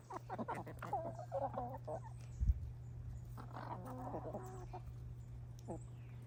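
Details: Hens enjoying a winter snack give quick low clucks and brief wavering, purring notes amid pecking and rustling, with a steady background hum.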